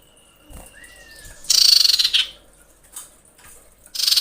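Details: Female common iora in breeding condition screaming to attract males: a long, level thin whistle and a lower rising-falling note, then a loud, buzzy pulsed chatter and shorter rasping bursts.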